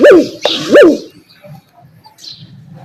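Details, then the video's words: A dove (fakhta) gives two short hooting coos about three-quarters of a second apart, each rising then falling, with a sharp click between and a quiet low rumble after. "Fakhta ki Awaaz | Dove Bird Sound | فاختہ کی آواز"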